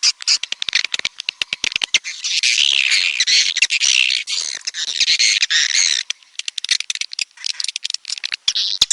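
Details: Red-nest edible-nest swiftlet calling: dense, buzzy high twitters and chirps layered with sharp rapid clicks, swelling into a continuous chattering wash through the middle before breaking into scattered clicking bursts.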